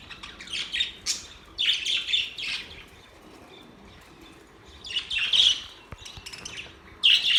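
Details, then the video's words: Budgerigar chirping in short, bright bursts of high squeaky notes with quiet gaps between them. "Budgies sounds | Budgies singing | Budgies chirping sounds"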